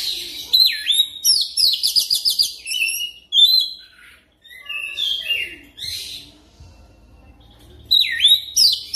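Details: Oriental magpie-robin song played as a lure to get another bird singing continuously: rapid stuttered trills and downslurred whistles at the start, a quiet gap, scattered warbled notes, then sharp swooping whistles at the end.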